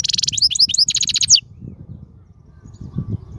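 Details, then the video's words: Wild European goldfinch song meant for young birds to learn from: a second and a half of fast, tinkling twitter and trills, then only a low rumbling background. "من أقوى اغاني | طائر الحسون | البرية"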